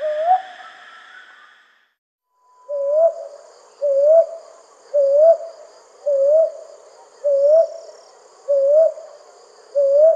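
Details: Calls of a brown hawk owl at night, heard as soft rising hoots repeated roughly once a second, seven in a row after a short opening note and a pause. A faint steady high-pitched hum runs underneath throughout.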